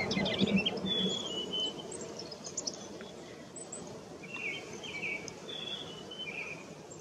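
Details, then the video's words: A Ruby-crowned Kinglet filmed in May 2018, constantly moving to catch insects, sings faint, high, quick warbled phrases in two short bursts against a steady rushing background hiss. "Roitelet à couronne rubis, chant / Ruby-crowned Kinglet, song"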